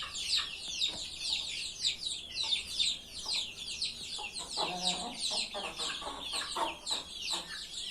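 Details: Chickens on a hen farm give a dense, continuous chorus of shrill, down-slurred peeps from many birds at once, with occasional lower clucking notes beneath the high chatter.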